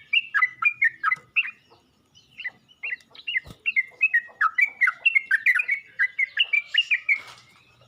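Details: Yellow-vented bulbul calling to other bulbuls: clusters of quick, liquid chirps, a short pause and a sharp click, then a longer tumbling series of rising and falling notes.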